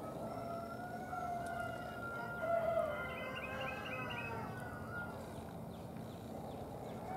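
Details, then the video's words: Red-bellied woodpeckers recorded as a male-female pair on March 13, 2023. A quick run of five or six bright, clipped chirps comes midway, over constant low background noise and faint drawn-out tones. "a PAIR of RED-BELLIED WOODPECKERS"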